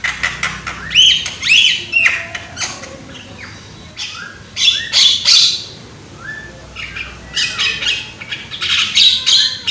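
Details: Young Javan myna, caged bird, singing loudly as a lure to prompt other mynas to sing: harsh squawks, chattering notes and sharp whistled phrases in bursts with short gaps, some rising slurs, steady faint background hiss.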